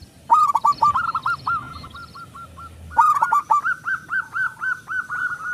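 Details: Local zebra dove with a big voice, played to spur other doves into singing: rapid staccato cooing notes in two long runs, the second climbing slightly and pulsing steadily.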